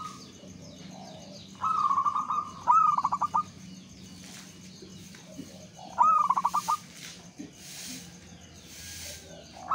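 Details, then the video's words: Local zebra dove cooing as a lure to set other doves singing. Two brief phrases rise into a stuttering pulsed ending, separated by long pauses over a steady low hum and soft bursts of background noise. "PERKUTUT Lokal GACOR, 100% OBAT MALAS BUNYI kutut lokal biar gacor 2 detik langsung NYAUT Pancingan"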